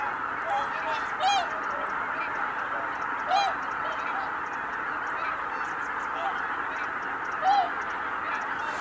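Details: Greater white-fronted geese lifting off together at Kabukuri-numa, 12 January 2019. Three prominent nearby high, ringing two-note yelps come about two seconds apart and then four seconds later, over a ceaseless background of honking.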